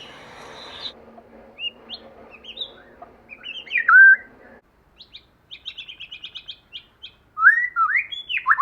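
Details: White-rumped shama song in forest style: scattered whistled notes, a rapid series of short repeated high chips, then loud rich slurred whistles near the end; a low steady hum underlies the first half.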